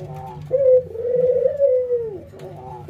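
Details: Ringneck dove laughing call during routine training, albino white bird versus local bird, nodding: one drawn-out rolling coo that swells and then falls away, softer coos before and after.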